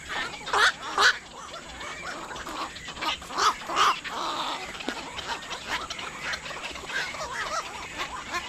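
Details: Black-crowned night heron calling near water: harsh, broadband croaking calls given in pairs, two near the start and two more a few seconds later, over a steady background of many other birds calling.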